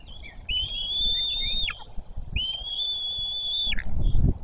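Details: At a white-tailed eagle nest in Bory Tucholskie, Poland, with a parent arriving and the younger eaglet unresponsive. Two sustained high whistled notes, steady in pitch and dropping abruptly at the end, with soft rustling and low thumps.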